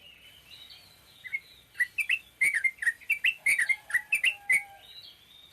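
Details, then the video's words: Sooty-headed bulbul delivering a short ropel pendek song, a brisk series of about a dozen clear, bright chirped notes with rising and falling inflections at a steady quick pace, softer warbling before and after. "burung trucukan ropel pendek"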